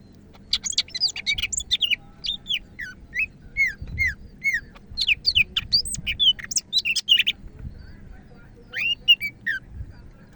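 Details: Greater green leafbird of the Medan type in vigorous song: long rapid series of high squeaky chirps, sharp downslurred whistles and mimic-like varied phrases, pausing briefly before a final short burst, over faint low background noise.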